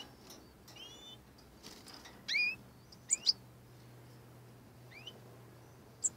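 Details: European goldfinch fledglings just out of the nest, four young birds together: scattered thin, high chirps and short rising notes over a quiet, low background hum.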